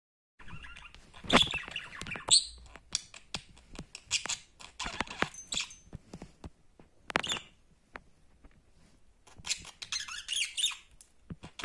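A budgerigar chatters in quick bursts of scratchy clicks, squeaks and high chirps.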